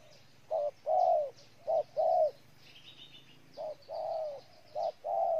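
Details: Cooing of a spotted dove recorded in Ninh Thuận, Vietnam: paired low notes, a brief coo then a longer one, repeated in phrases with a short pause midway, faint chirping behind.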